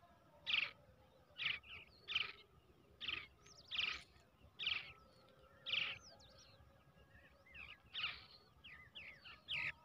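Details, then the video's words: Hand-raised brown shrike chick, reared from the egg, begging: short harsh chirping bursts repeated roughly every second and a half, with softer high squeaks in between and a faint steady hum behind. "bird baby / brown shrike / পাখির ডিম থেকে বাচ্চা বড় করলে খুব সুন্দর ভাবে"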